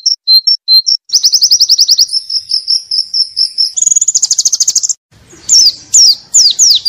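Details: Pleci (white-eye) song meant as canary tutoring material: short separated high notes, then a long fast trill of even pulses climbing to a higher rattling section, ending in sharp downslurred whistles over faint low noise.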